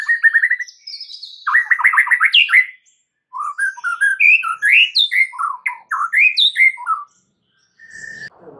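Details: White-rumped shama lure song meant to make other shamas answer: rapid varied phrases, trills and sweeping whistles at mid to high pitch, with brief pauses between bursts.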